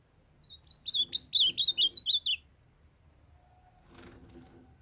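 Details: Bright, loud warbled phrase of rapid high slurred whistles, rising and dropping, from a young male ultramarine grosbeak kept in Brazil with a female calling to warm him up; a rustle follows.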